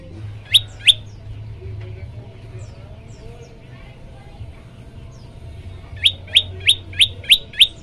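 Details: Olive-backed tailorbird song for prompting other birds to sing: two piercing high chirps, a pause filled with faint soft twitters, then a fast run of six loud, evenly spaced chirps over a low background hum.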